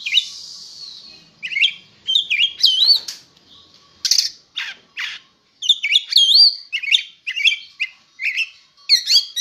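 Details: Oriental magpie-robin, a bird presented as ready for singing competition, in a varied song: a long hiss at the start, then phrases of sharp whistles, chirps and scratchy notes with short pauses between.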